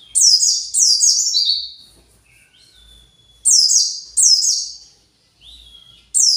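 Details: Excited white-eye looking for its colony, giving clusters of sharp descending twitters, each burst brief and high, with soft drawn-out whistles filling the pauses between them.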